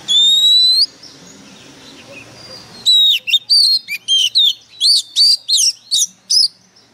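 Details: Oriental magpie-robin used as a lure bird, singing fiercely and intensely: one long clear rising whistle, a pause, then a rapid run of about ten short sharp whistled and chattering notes, loud against a quiet background.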